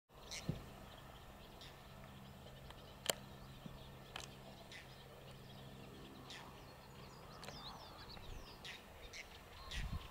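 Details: Whiskered terns recorded 9 June 2018 give short, harsh rasping calls at irregular intervals, several a few seconds apart, over a steady low rumble of wind or distant traffic.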